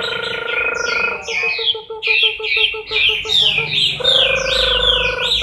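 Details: Chinese hwamei in moult, October 2015: quick runs of loud, slurred whistled notes repeated over and over, over a steady buzzy harmonic drone and a stuttering series of short, evenly spaced pulses.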